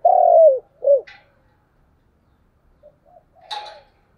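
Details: Morning lure call of a spotted dove used to attract wild doves: one long, loud, slightly falling coo, a shorter second coo, then faint low notes and a brief rustle.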